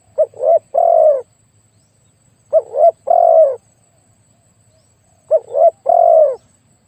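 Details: Spotted dove kept as a decoy for luring wild doves, noted for a very deep, big voice: three spaced phrases of two quick rising notes and a drawn-out falling coo, each over two seconds apart.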